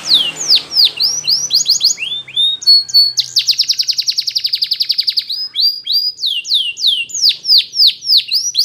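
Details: A Belgian canary sings a training song: sweeping downslurred whistles, a long fast buzzy roll of evenly pulsed notes, then more rapidly repeated falling chirps.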